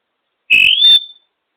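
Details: African grey parrot, female, perched on top of her cage making birdy noises: a single loud whistle rising smoothly and then holding steady, with a rough, buzzy overtone, lasting under a second in a quiet room.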